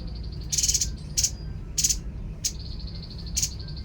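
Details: Babbler (tepus) song: a steady high pulsed whistle trill broken by five short harsh, noisy bursts spaced about half a second to a second apart, over low background rumble.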